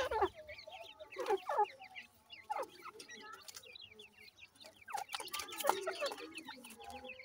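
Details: Francolin chicks being given feed and water: many overlapping thin cheeping peeps and sliding chirps from several young birds, with soft low clucks between them.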